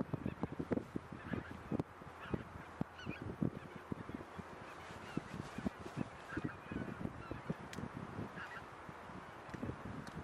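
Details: A flock of a few thousand undisturbed grazing geese, mainly about 1600 greater white-fronted geese with tundra bean, Egyptian and barnacle geese, keeps up a constant overlapping babble of honks and yelps; polder near Sas van Gent, Netherlands, 26 January 2017.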